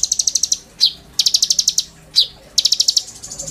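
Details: Oriental magpie-robin singing hard with borrowed fill phrases, played as a master song for training: short rapid high trills alternate with single loud downslurred notes, the pattern repeating three times.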